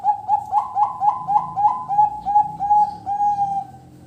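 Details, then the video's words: Zebra dove song in the fales and noklak style: a steady run of rounded, mellow cooing notes at one mid pitch, roughly a dozen in four seconds, evenly paced and softening toward the end over quiet low background rumble. "Perkutut gacor suara fales dan noklak"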